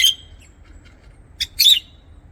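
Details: Lovebird in an aviary giving a thin, shrill whistled chirp, a short pause, then a quick pair of sharp, slightly rasping chirps; low steady hum in the background.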